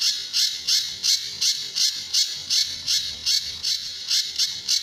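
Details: Sunda bush warbler singing in the tembakan and besetan styles, used as a master for training other birds: high, grating bursts in a quick series, under three per second, loud and clear.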